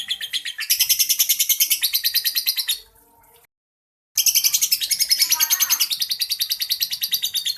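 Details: Ngekek chatter from a champion caged lovebird: a long buzzy trill of rapid pulses, a short silent gap, then the rattling run starting again just as strong.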